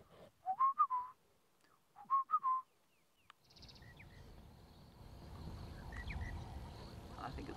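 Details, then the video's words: A Monotonous Lark calls in the background near impala, Djuma Game Reserve area, South Africa, 12 March 2017: two short matching phrases of quick whistled notes, rising then falling, about 1.5 s apart, then wind and low rumbling. "And then in the background, you can hear the monotonous lark."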